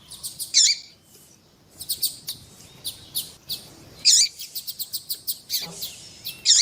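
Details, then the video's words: Coleiro tuí tuí, the double-collared seedeater, with a female calling to encourage a male to sing; continuous series of high, rapid chirps and trills with louder emphatic bursts every few seconds. "ESQUENTAR COLEIRO TUÍ TUÍ COM COLEIRO TUÍ TUÍ E FÊMEA CHAMANDO PARA ESQUENTAR COLEIRO TUÍ TUÍ"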